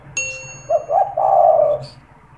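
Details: Spotted dove kept in a cage, cooing as a lure for wild doves: a bright metallic ding opens, followed by two short hooting notes and a drawn-out, wavering low coo.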